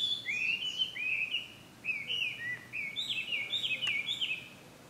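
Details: Chinese hwamei (Garrulax canorus) recorded as ambient sound at Ikimono Fureai no Sato, June 2020: a fast, continuous run of rich whistled phrases, slurred up-and-down notes tumbling one after another over steady faint background hiss.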